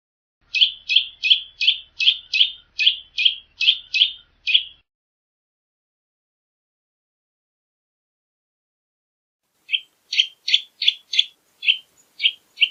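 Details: Eurasian nutcracker giving a rapid series of short, harsh rasping notes, about three per second, then a silence of several seconds before a second burst of similar grating calls; no other sounds.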